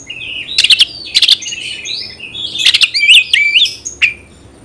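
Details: Song of a caged Oriental magpie-robin used to rouse fighting behaviour; short rattling bursts, brief whistled slurs and a single sharp note, quieter than other passages.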